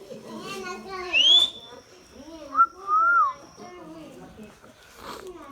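An Indian ringneck parakeet gives speech-like chatter broken by two clear whistles, one high and rising, one lower and arched, over a faint steady background tone.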